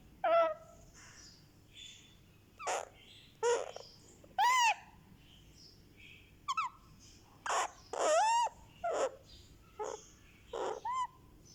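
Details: Indian ringneck parakeet chick, a one-month-old pet, makes sweet sounds while getting a head massage: a steady series of short, squeaky, upward-arching whimpers and chirps, roughly one every second, in a quiet indoor setting.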